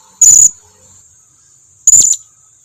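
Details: Lure call of a blue-crowned hanging parrot, meant to draw replies from other birds: two piercing high-pitched squeaky notes about a second and a half apart, each slightly wavering, with silence between.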